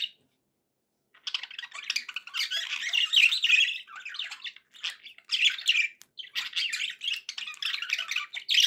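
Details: Contented pet budgies, a second of silence then sustained scratchy warbling and squawky chatter running almost unbroken to the end.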